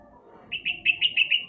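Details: Sooty-headed bulbul, played as a lure to coax a reluctant bird into singing: a quick run of six bright, clipped notes, steady in pitch and evenly spaced, over a faint low hum.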